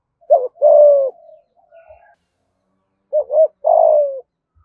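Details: Spotted dove, Dong Nai, Vietnam, giving 'thúc gù' coos in 'thổ' voice: two phrases about three seconds apart, each a pair of short bent notes then a long falling coo, with faint quiet notes between.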